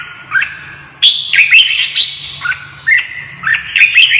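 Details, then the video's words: A Red-whiskered bulbul stirred into fighting song gives loud, warbling whistled phrases that jump and slide in pitch, each burst separated by short pauses, with a faint low hum beneath. "CHÀO MÀO | Kích chim đấu ché hót căng lửa"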